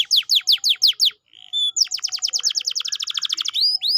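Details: Lure song of a canary for stimulating a lazy bird to sing: six strong down-slurred whistles, a brief gap, then a long fast rattle of repeated chips ending in a rising whistled note.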